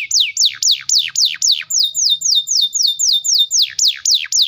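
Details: Canary in full song with a fast roll aimed at making young and silent canaries respond. Steady series of loud downslurred whistles, about three each second, sweep from high to lower pitch.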